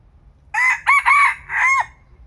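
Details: Young decoy red junglefowl cockerel in Thailand giving a single crow: a short opening burst, a longer doubled middle section, and a final drawn-out falling note, loud and harsh against a quiet background.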